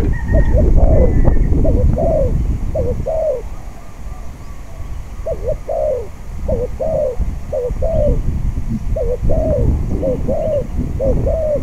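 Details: Spotted dove singing during decoy trapping with a caged bird on a windy day: mellow, low hooting coos in quick two- or three-note bursts, repeated steadily throughout, over constant rumbling wind noise.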